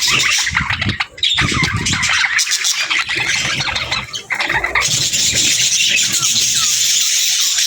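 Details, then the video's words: Chattering budgerigar pairs: dense, scratchy warbling and chirps throughout, with a couple of brief dips and some low rumbling noise in the first half. "Sweet Budgie Conversations"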